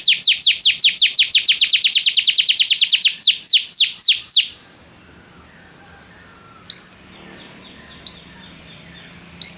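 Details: Canary training song: a quick even trill of high notes that slows into falling sweeps for about four seconds, then quiet with two brief isolated chirps and the start of another phrase.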